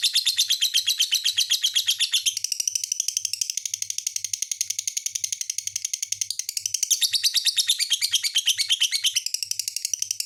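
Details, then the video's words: Lovebird song: a long run of fast, shrill, chattering notes, about three per second, in a dense metallic stream that slurs into a steadier buzzy stretch midway, then breaks into rapid twitters again. Faint low thumps sound underneath. "SUARA BURUNG LOVE BIRD"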